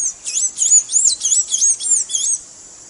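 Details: Blue-gray tanager (Thraupis episcopus) song, used to teach a kept bird to sing: a rapid run of high, squeaky, looping notes, about eight slurred up-and-down phrases packed into two seconds. Nothing else is heard.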